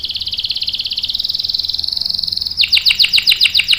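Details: Canary in long rolling 'ngerol' song used to prompt and tutor young males: a fast, even buzzy trill held about two and a half seconds, then a quicker series of sharp descending chirps repeated several times a second.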